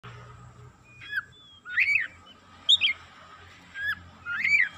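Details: Excited Oriental magpie-robin singing, with loud swooping whistled phrases rising and falling, given in bursts about every second against a steady low hum.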